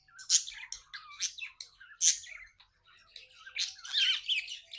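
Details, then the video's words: Budgerigar kept as a pet chirps happily, mixing sharp squawky notes with quick twittering chatter and short rising whistles in an indoor room. "Happy budgie chirping sounds"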